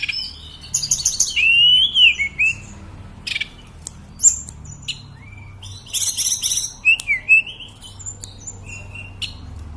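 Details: Sunda robin, called tledekan or mountain sulingan, in continuous song; rattling buzzy high trills alternate with wavering slurred whistles dropping lower, with scattered sharp ticks.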